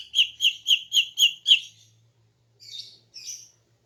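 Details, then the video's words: Morning calls of a female greater green leafbird, used to draw males. Six rapid, harsh, even chattering notes, then a pause and two faint, buzzy, higher notes. "KICAUAN CUCAK IJO BETINA PAGI HARI 🔥 Alternatif untuk Pancing Jantan"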